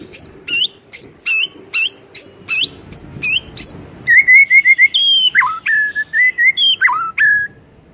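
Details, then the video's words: Morning song of a white-rumped shama, used to spur a silent shama into full, loud singing: sharp upswept notes repeated in quick succession, then a run of clear whistled notes and short trills at roughly two per second. "Cukup 5 DETIK di PAGI HARI bikin Murai MACET auto GACOR NGEPLONG seketika"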